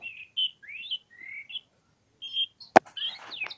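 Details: Clean, spaced whistles from an oriental magpie-robin, some rising and some flat, followed by one sharp click and a quick burst of buzzy descending notes.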